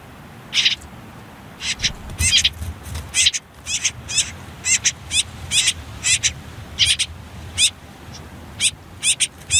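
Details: Common whitethroat nestlings on their last day in the nest, hidden under reeds and nettles near a river: harsh, raspy high chirps in quick clustered bursts, repeated throughout with short gaps.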